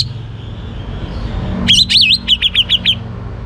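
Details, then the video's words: Young orange-headed thrush, caged, singing to prompt other birds to sing: a loud burst of clear, looping whistles followed by a quick string of sharp repeated chips, over a steady low hum. "ANIS MERAH Muda Gacor Untuk Pemancing Burung Berani Berkicau"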